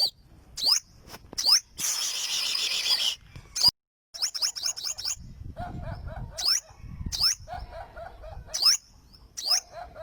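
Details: Olive-backed sunbird (burung madu sriganti) mixing sharp, high swept notes with a hissing burst and softer, lower pulsed chattering phrases in the second half.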